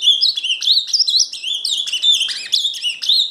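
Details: Ultramarine grosbeak (Cyanoloxia brissonii), song.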